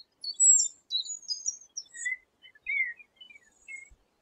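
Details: Eurasian penduline tit, recorded in 2017: a string of thin, very high drawn-out whistles that slide downward, followed by lower, softer chirps, in a quiet setting.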